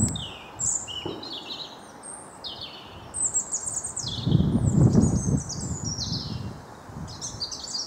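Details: Garden blue tit, wild, Wyre Forest in England: a busy run of high, quick chirps and brief descending phrases, repeated several times a second amid low background rumble.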